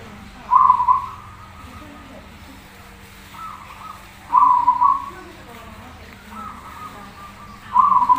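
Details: Zebra dove, a prolific singer on a masteran tutor recording: three brief stuttering coo phrases, each under a second, spaced about three to four seconds apart, with fainter phrases between them and a low steady hum underneath.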